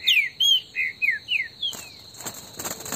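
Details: Green-winged saltator in the bush giving a warm-up phrase of five or six clear whistled notes, each sliding downward, followed by rustling noise.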